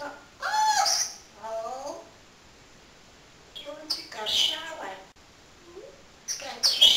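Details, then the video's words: Pet parrot talking inside a room: harmonic, speech-like words in short bursts, some with sliding pitch and sharp high sibilant sounds, separated by quiet gaps. "BEST TALKING PARROT IN THE WORLD"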